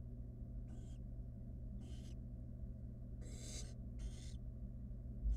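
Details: Barn owl nestling, wild, in a research nest box, toying with food brought by its mother: four rasping hiss bursts, the third longest and loudest, with a constant low background hum.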